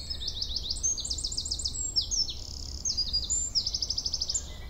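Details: Song thrush singing at dawn in April, first bird to vocalize, in the Seiglières marsh clearing of the Belledonne massif: bright, high phrases, each note repeated several times in quick bursts, varied from phrase to phrase.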